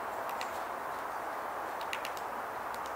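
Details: Downy woodpecker pecking in 2021: short, irregular bursts of two or three sharp taps, spaced about a second apart, over a steady rushing background noise.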